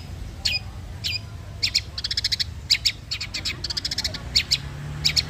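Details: Long-tailed shrike sunbathing at midday, giving high, sharp chirps, first single notes then fast clusters of clipped, ticking calls, over a steady low background hum.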